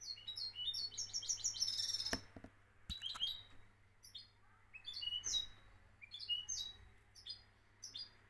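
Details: European goldfinch, a champion singer from Morocco, with rapid repeated tinkling twitters and trills, a few sharp clicks in the background, then looser phrases of high chirps.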